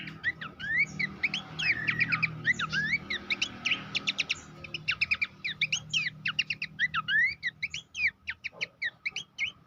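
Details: Abbott's babbler singing in a master recording meant to train competition songbirds: a long, lively run of fast whistled and chattered phrases, steady and almost unbroken, with soft low rumble behind.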